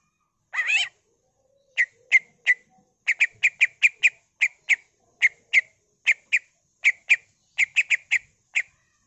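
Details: Greater green leafbird, ngentrok-style song with imitated fills: an opening harsh rattle, then a long lively series of sharp chirps, sometimes paired, repeated at a brisk, uneven pace.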